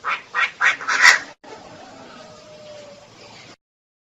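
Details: Four quick harsh notes from a female Chinese francolin, the last one loudest and raspy, followed by about two seconds of quiet background hiss.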